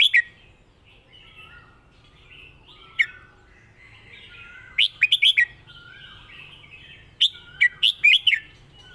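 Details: Red-whiskered bulbul, a competition songbird, giving its master song: scattered short warbled phrases near 0, 3, 5 and 7.5 seconds, each a quick run of loud, bright, rolling notes, with soft chirping between them.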